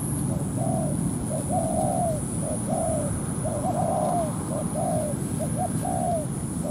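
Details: Spotted dove calling at a ground trap, where a decoy lures a wild dove in to fight over territory. Low mellow coos come in repeated phrases of short clipped notes, each ending in a drawn-out descending coo, over a steady rumbling background.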